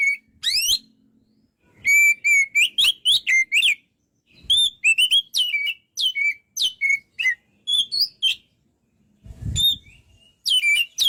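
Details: Loud gacor singing of an Oriental magpie-robin (kacer): rapid series of bright whistles and sharp slurred notes in repeated runs, brief pauses, and a low soft thump near the end.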